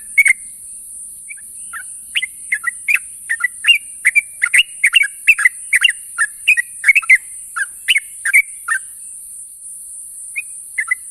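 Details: Calling companions in the morning, a sooty-headed bulbul utters rapid chattering chirps that start sparse, pack densely through the middle, then fade to a couple of isolated notes; high hiss throughout.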